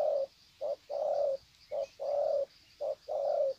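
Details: Spotted doves greeting each other with long cooing series, recorded at Sê San on 21 February 2020: low, mellow coos in short-then-long pairs, steadily repeated about once a second, with faint high background hiss.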